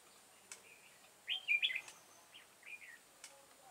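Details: Red-whiskered bulbul ('devil face' type) heard during decoy trapping on 22 September 2018: one loud, rapid burst of bright, looping whistles, followed by softer slurred notes. Occasional clicks.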